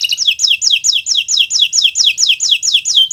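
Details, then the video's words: Kenari Nusantara canary singing steadily, a master recording for young birds learning song: a run of about fourteen bright two-part notes, each sliding downward, repeated evenly several times a second. "Suara Burung Gacoran Kenari Nusntara, untuk Masteran Belajar Bunyi"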